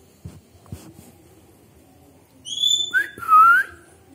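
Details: Indoor pet Alexandrine parakeet known for talking in Hindi gives a clear high whistle, followed by a rising then falling slurred whistled note, with faint room knocks beforehand.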